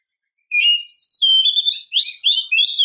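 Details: Female Oriental magpie-robin calling to a male, a lure recording. After half a second of silence come clear high whistles: a flat note, then a falling slur, then a dense run of warbled, wavering whistled notes with no other sounds.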